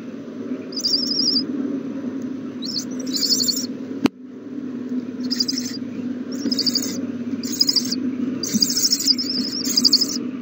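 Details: Owl chicks in a nest being fed a big meal, recorded 27 March 2020. Harsh, hissing screech bursts come in short clusters separated by pauses, with one sharp click partway through over a steady low hum.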